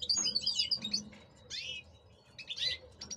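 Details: Male European goldfinches kept in cages and prepared for breeding deliver a rapid, jangling twitter of high chirps and liquid trills, briefly pausing before another burst of sharp notes over a low hum.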